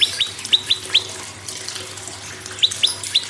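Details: Prinia singing as a prompt for other birds: a few sharp, high, falling whistle notes, then a pause, then another short run of similar notes.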